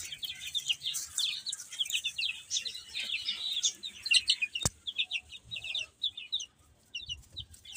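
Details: Baby chickens eating and playing, a flock of chicks giving many short high peeping chirps, overlapping and rapid, with a sharp click near the middle and soft low rustling.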